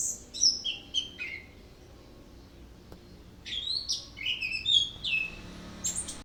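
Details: Orange-headed thrush delivering a rolling, varied song: clear descending whistled notes, a pause, then a run of scratchy slurs and sharp high whistles ending on a thin rising note.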